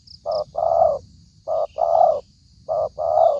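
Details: Spotted dove, recorded as a fierce lure for trapping: three phrases, each a short coo then a longer sustained coo, repeated about every 1.2 seconds over low rumbling background noise.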